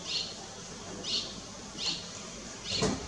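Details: At Lugu on 30 June 2022, a striated swallow utters four soft, high chirps close to one second apart, the last followed by a low thump.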